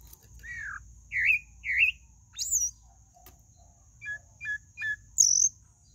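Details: Pale-breasted thrush singing: separate whistled phrases, some slurred down and some rising, a quick run of short clipped notes, then a high squeaky slur near the end, over a steady thin high-pitched tone and faint low rumble.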